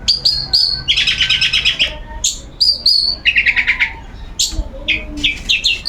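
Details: Long-tailed shrike in a cage, put out for its routine sunbathing and singing without pause: high upslurred whistles and dense buzzy chattering bursts alternate rapidly, with faint lower tonal notes underneath.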